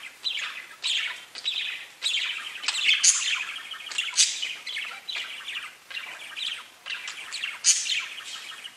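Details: Pet budgerigars chattering nonstop, a scratchy warbled babble punctuated by bright squawks roughly every second, with rapid clicks and trills running underneath.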